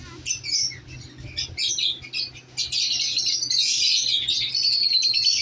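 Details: Pair of lovebirds just placed together, first with separate sharp chirps and squeaks, then breaking into loud continuous shrill chatter; a steady low hum runs throughout.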